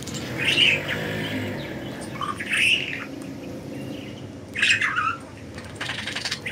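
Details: Budgerigars at liberty give three separate bursts of raspy chirping spaced about two seconds apart against a quiet humming background.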